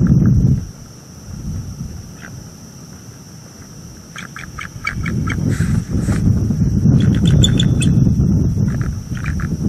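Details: Near midnight on October 30, 2022, two bald eagles at a northeast Florida nest voice warnings at an intruding owl, recorded by a nest cam: two bursts of rapid, clipped chattering notes separated by a pause, amid strong wind rumble.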